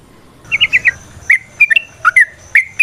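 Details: Sooty-headed bulbul singing a vigorous 'ropel variasi nrotok ngecuplik' style song: a quick run of four bright chirps, then scattered liquid slurred notes, some rising and some falling, each ending in a thin held whistle.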